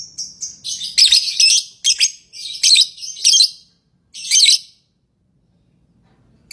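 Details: Lovebird chirping: loud, harsh, high-pitched chirps in quick bursts, several close together, then a pause and one more burst near the end.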